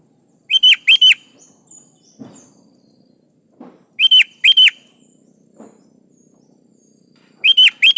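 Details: Sooty-headed bulbul, known locally as kutilang, singing vigorously as a lure for other birds: three short loud phrases of paired bubbling whistles, spaced about three and a half seconds apart, faint thumps between.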